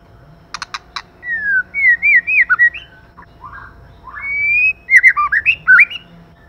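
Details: White-rumped shama, male and female, in song: a few sharp clicks, then rich, varied whistled phrases that sweep and warble up and down, with short pauses between bursts.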